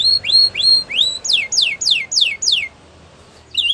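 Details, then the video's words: Canary song for training: a few rising whistled slurs followed by five loud, evenly spaced descending sweeps, a short pause, then another note beginning. "Canary Bird Sounds | Canary Training"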